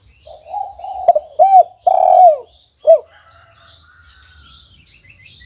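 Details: Low mellow cooing from a spotted dove in a cage, 'kuk 1' type: soft lead-in coos, two quick arched notes, a long drawn coo and a last short hooked note, followed by faint chirps of small birds.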